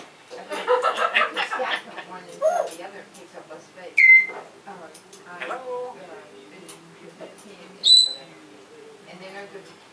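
An African grey parrot mutters speech-like phrases, then gives two sharp whistles: a bright rising one and a higher, piercing one four seconds later. A person's voice may also be mixed in.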